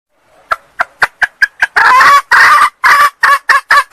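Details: Sumatran female red junglefowl calling to lure a male: soft clucks quickly build into loud, raspy bursts, some stretched and wavering, repeated in an uneven series.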